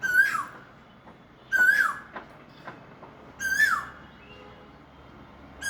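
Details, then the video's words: Asian koel calling from a mango tree on the first day of spring (Pohela Falgun), heard from a balcony: a loud, clear two-part note, rising then dropping, repeated about every two seconds, three full calls and the start of a fourth, with faint background clicks. "আম গাছে বসে ডাকতেছে কোকিলটা। বসন্ত কোকিল,"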